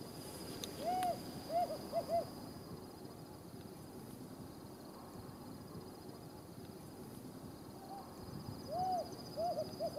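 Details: Desert tawny owl, one of a calling pair in a remote part of the Judean Desert, Israel, giving soft, mellow hoots in short bursts of three or four, one near the start and another near the end, over a steady hiss of wind.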